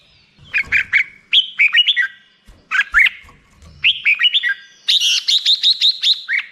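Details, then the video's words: Black-crested bulbul song in short phrases of slurred, rising and falling chirps, each group separated by brief gaps, ending with a rapid string of sharp repeated notes. "suara burung merbah jambul"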